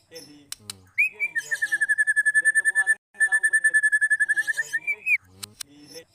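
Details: White-rumped shama long song used as a lure to trigger singing in other shamas: two long, steady, rapidly pulsed trills, each opening with a short rising note, framed by brief clicks and chips.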